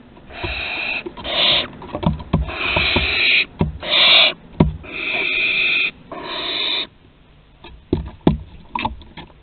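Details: Young barn owls that have mastered flight, recorded in Théding, France, on 21 September 2020; a series of long, harsh, rasping screeches lasting about half a second to a second each, separated by short pauses and clicks.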